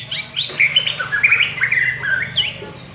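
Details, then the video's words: Prize-winning white-rumped shama pouring out a continuous, high, twittering and whistled song of quickly changing notes for about three seconds. "BURUNG MUARAI JUARA"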